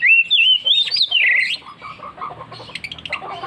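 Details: An Oriental magpie-robin pours out a loud ngeplong phrase of wavering, bending whistles for about a second and a half, then softer scratchy chatter and chips continue beneath.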